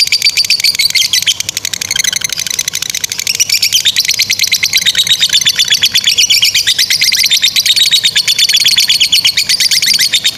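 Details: Lengthy ngekek song from a lovebird, offered as a model for young and stalled singers; a fast, even series of high buzzy chatters running throughout, briefly softer near the start.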